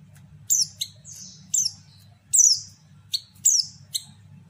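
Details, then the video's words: Female white-eye (pleci) call meant to provoke males into quick answering song: about seven sharp high-pitched chirps, several with falling sweeps, irregularly spaced, with a faint low hum underneath. "panggilan pleci betina sangat ampuh buat pancingan pleci bahan"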